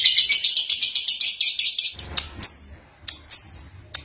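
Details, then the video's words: Young lovebird (Agapornis) singing and chirping, a voice said to attract other young lovebirds; a fast run of high, buzzy chirps, about six per second for two seconds, then a few sharp, separate chirps over a faint low rumble. "Lovebird Singing & Chirping Sound | Young Lovebird Agapornis Singing"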